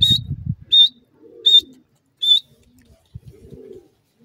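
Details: A francolin, called jungli or dakhni teetar (wild teetar), gives three loud, shrill, high whistled notes about three-quarters of a second apart. A low rumble opens the clip, with soft cooing in the background.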